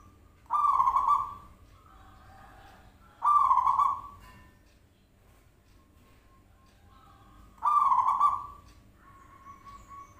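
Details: Zebra dove played as a lure to draw an answer from other birds: three loud, buzzy, rolling coos about three to four seconds apart, with softer thin tones between them.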